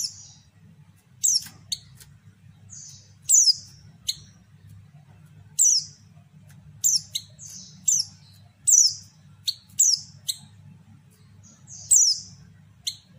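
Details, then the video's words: Female white-eye call used as a lure to provoke males: thin, high, sharp chirps given singly or in quick pairs every second or so, over a steady low electrical hum. "panggilan pleci betina"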